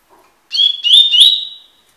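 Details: Double-collared seedeater, tui tui song style for training: three clear, rising slurred whistles run together, the last drawn out into a steady fading tone, heard alone in silence.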